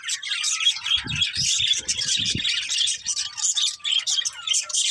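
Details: Budgerigar chirping: fast, overlapping high twitters and warbled chirps, with short bursts of low thudding sounds early on.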